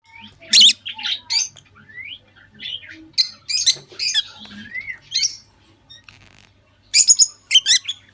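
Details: A pair of lovebirds in a breeding setup during the 2023 breeding season give shrill, squeaky chirps and harsh squawks in quick irregular bursts, with a few rising whistled notes between them.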